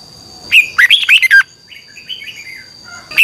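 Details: Morning training song of a red-whiskered bulbul in the double-voiced twisting 'xoắn tít' style, a lure sound for training birds. One loud, rich, warbled phrase, then a softer quieter warble and the start of another phrase.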